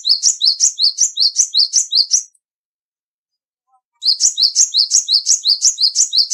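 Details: Cinereous tit with a fairly loud voice repeating quick, high-pitched double notes in an even rhythm for over two seconds, falling silent briefly, then starting a second matching series.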